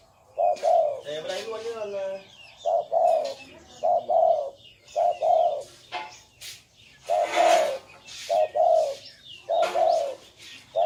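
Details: Cooing gù song of a spotted dove, soft low hoots grouped in twos and repeating steadily, with brief chirping and a short burst of other bird calls between phrases.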